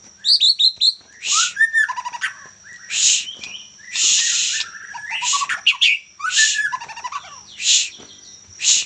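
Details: Young Medan white-rumped shama mixing high falling whistles and chips with repeated loud, harsh hissing bursts about once a second.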